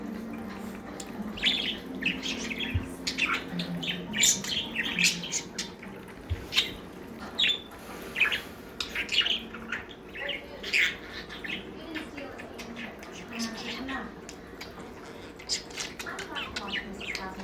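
Budgerigars chatter in busy bursts of high, scratchy chirps and squeaky warbles.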